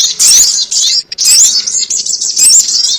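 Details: Piercing, buzzy chatter from a sogon ontong lure for trapping, three runs of high twittering notes with bright rising whistles, broken by a very short pause after one second.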